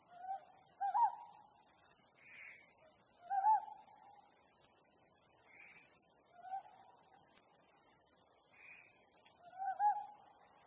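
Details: Under the mid-autumn harvest moon, a Ryukyu scops owl gives clear low hoots with a quick rising then falling inflection, about every three seconds, while a fainter higher buzzy note and constant high-pitched hiss run in the background.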